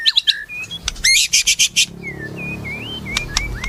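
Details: White-rumped shama singing: sharp high chips and a loud buzzy trilled burst, followed by a run of clear rising and falling whistled phrases with faint low background rumble.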